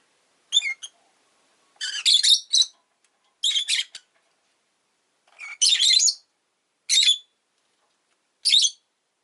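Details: Pet rosy-faced lovebird giving six harsh, buzzy chirps, single and in short bursts, spaced about one to two seconds apart, with near silence between.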